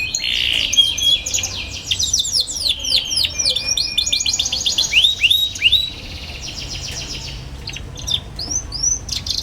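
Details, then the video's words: Young canary in energetic ngeriwik chatter, used as a lure to teach young canaries to sing: dense, rapid high twittering with sweeping chirps and brief level whistles, hardly pausing, plus faint low hum behind. "KENARI PAUD NGERIWIK GACOR CUIT CUIT BIKIN EMOSI |22| COCOK BUAT PANCINGAN KENARI PAUD BELAJAR BUNYI"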